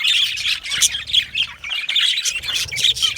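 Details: Yellow male budgerigars chirping in a dense, overlapping chatter of high, scratchy warbles and short squawks, with brighter sharp notes standing out every half second or so.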